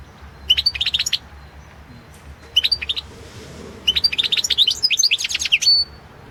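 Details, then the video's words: European goldfinch performing competition song, 2016 world championship: three bursts of rapid, bright twittering, the last and longest a fluid jumble of high chips ending in a drawn-out thin note, with a quiet background. "Pesma štiglića"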